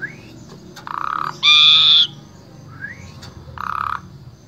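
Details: Asian pied starling singing for other starlings to learn from, Wonosobo, Central Java, Indonesia: soft rising slurs, buzzy grating bursts and one loud, steady, harsh nasal note, with faint clicks.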